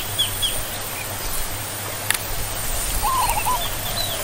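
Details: Zebra dove (Geopelia striata), or perkutut: one short, rolling, trilled cooing phrase late in the recording, preceded by thin high chirps from other birds and a sharp click, with a low hum underneath.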